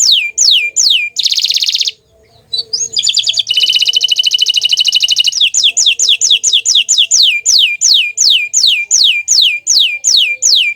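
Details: Green canary song mixing falling whistled notes with bursts of buzzy, rapid trills, after a short pause, then a long regular series of downward-sweeping whistles.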